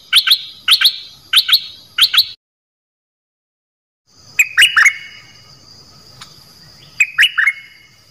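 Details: Rapid paired chip notes from a dok taeng bird, a song played to teach young birds and rouse them, followed after a pause by drooping whistled chirps and further doubled chips.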